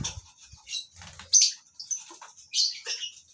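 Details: Lovebirds in a breeding colony utter sharp, high-pitched squeaky calls in uneven bursts, a few louder shrieks rising above softer twitters, with faint low knocking sounds early on.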